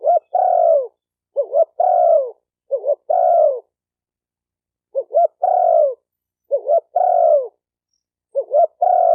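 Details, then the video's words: Spotted dove cooing about six times in two runs of three, each phrase a pair of quick rising notes and a drawn-out falling coo, in otherwise silent surroundings. "Tiếng chim cu gáy tập bổi chuẩn nhất chim hay"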